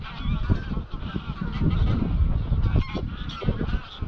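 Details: Flock of Greylag Geese, 200-300 birds, leaving grazing fields for Llyn Maelog near Llanfaelog, Anglesey, at dusk; many overlapping nasal honks blend into a steady clamour, masked by constant low wind roar on the microphone.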